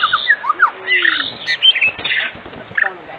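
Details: Evening white-rumped shama in full song, used to provoke other shamas into singing: dense, jumbled phrases of short whistles, squeaky slurs and chattering notes packed closely together.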